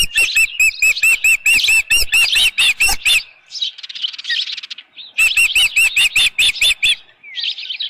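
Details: Osprey calling at its ranch nest on a June 2018 evening while holding a headless fish: two bursts of fast, evenly spaced whistled chirps separated by a brief hoarse, rustling interlude, plus a thin slurred note at the end.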